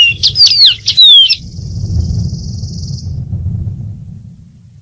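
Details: Dark-throated seedeater (Sporophila ruficollis) singing: a quick burst of loud, slurred whistles sweeping down from very high pitch, then a thin buzzy trill held for about two seconds before fading, with low rumbling background noise.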